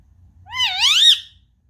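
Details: Pet Indian ringneck parakeet indoors, curious and wanting to play with an iPad; one loud harmonic screech about a second long that rises, dips and climbs again before cutting off, in a quiet room.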